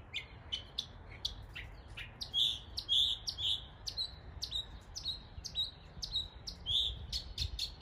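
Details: East Tennessee northern mockingbird mimicking neighbourhood birds, delivering fast sharp chips and short high whistled notes, nearly two per second, with some louder burry phrases in the middle.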